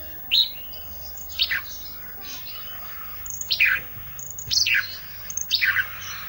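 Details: Olive-backed tailorbird, kept as an isian (training) song bird, singing persistently: a series of sharp, bright chirping phrases, each a quick descending burst, repeated roughly once per second over low background hiss.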